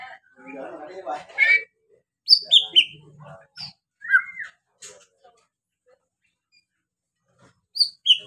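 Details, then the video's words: White-rumped shama song meant to stir other birds to sing: a scratchy chattering phrase, then scattered high whistled notes and clicks with long quiet gaps. "BIKIN GACOR DENGAN SUARA MURAI BATU INI"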